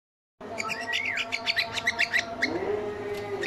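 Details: Male cockatiel whistling while the female lays eggs: a sliding whistled note, then a quick run of bright, sharp chirps, and a lower drawn-out tone rising near the end.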